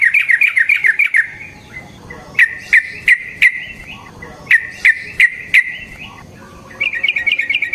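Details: Lure song of a yellow-vented bulbul: an opening run of quick liquid chirps, then single sharp, well-spaced notes about every third of a second, ending in another fast bubbling trill.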